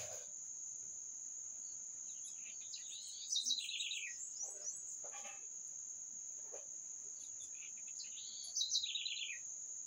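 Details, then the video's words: Bird song: a high whistled start dropping into a rapid falling trill, given twice about five seconds apart, over a persistent shrill insect chorus and faint clicks. "Canto dos pássaros"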